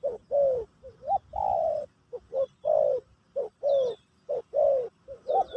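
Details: Spotted dove, locally terkukur, singing pesom/kacuk style for a new bird's teaching session: loud close mellow coos, some short, some long and level, repeated in quick groups, faint high chirps behind.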